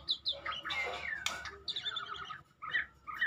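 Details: Medan white-rumped shama giving harsh, scratchy bursts mixed with short whistled notes and rapid chattering phrases, broken by a short quiet gap before sharp squeaky notes return.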